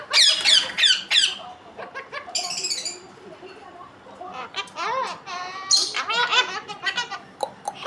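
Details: Talking parrot producing bursts of shrill, harmonic squeaks and chattering, speech-like syllables, some rising and falling, mixed with quieter gaps and human voices and laughter in the room.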